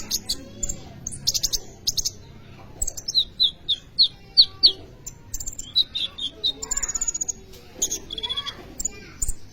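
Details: Sunbird known as kolibri ninja singing to lure and train other birds: bursts of high twitters, then a clear series of evenly spaced thin notes, followed by fast chattering chips.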